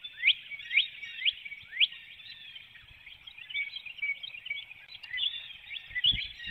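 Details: Female bald eagle departing her nest before dawn, 12 April 2019, Hanover, Pennsylvania, heard on a webcam; four spaced, piercing downward chirps, then a softer, continuous high twitter, with a brief low thump near the end.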